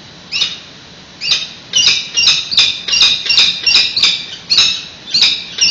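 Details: Nest exchange of peregrine falcons in San Francisco on 28 May 2017, heard via live webcam: one raspy call, a pause, then a quickening, nearly continuous run of harsh high-pitched notes.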